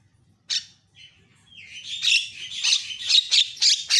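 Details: Javan myna song in a varied, lively training recording meant to rouse other mynas: a harsh burst, a brief whistled slide, then a run of loud raspy, buzzy notes repeated in quick succession.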